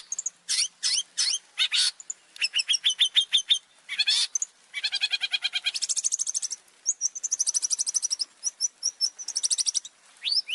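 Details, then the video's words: Long-tailed shrike giving a spirited opening song, used to lure other birds. It mixes high whistled slurs, rapid trilled rattles and harsh buzzy bursts into a varied, energetic, constantly changing sequence. "Kicauan pembuka cendet yang bersemangat dengan berbagai melodi awal yang kuat dan bervariasi."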